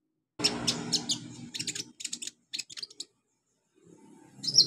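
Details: Olive-backed sunbird training recording for young birds: brisk, high, dry chipping notes in irregular clusters, then silence and a final high burst, with faint low rumble.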